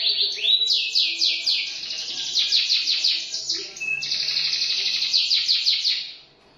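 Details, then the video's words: Canary in continuous song: a rising slur leads into rapid repeated downward-sweeping notes, then a sustained buzzy high roll that fades out at the close. "٣٠ دقيقة تغريد مستمر ورائع مهما كان نوع الكناري خاصتك سيبدء بالتغريد"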